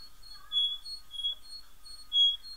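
A male canary sings a high, steady run of bright whistled notes, continuous and sweet with faint lower tones beneath.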